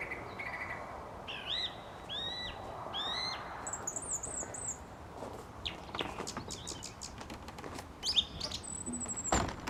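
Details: At dusk outside a studio, a song thrush gives clear whistled notes. A looping phrase repeats twice, followed by scattered clicks and chips, all over a constant dull hum.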